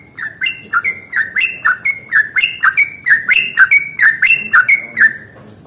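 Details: Yellow-vented bulbul singing in the morning, a long rolling song used as a lure to provoke other bulbuls into singing; a rapid series of bubbly, slurred two-part notes repeated about once a second, steady and loud throughout.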